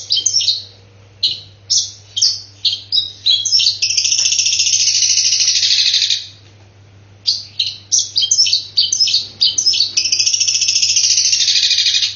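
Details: Long-tailed shrike delivering a loud song of imitated fighting calls: short sharp high notes in quick clusters, then extended harsh scratchy rattles, repeated twice over twelve seconds with a steady low electrical hum behind.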